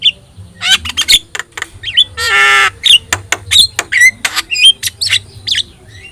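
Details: Javan myna with yellow eyes singing as a master for other birds: rapid clicks and short whistled notes, broken by a loud harsh rasping squawk, then more twisting whistles.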